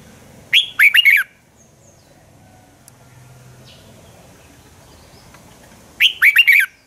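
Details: Fighting song of a red-whiskered bulbul, sung in the morning as a lure to stimulate and train other birds; two quick phrases of clear, swooping chirps about five seconds apart over faint low background hum.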